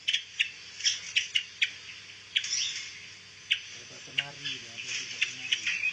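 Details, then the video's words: Pancawarna bird, an insect-eating songbird still untrained raw material used to teach songs to white-rumped shamas, gives sharp, high chirps about every half second, then a busier run of squeaky notes, with a low voice-like murmur underneath. "SUARA BURUNG PANCAWARNA"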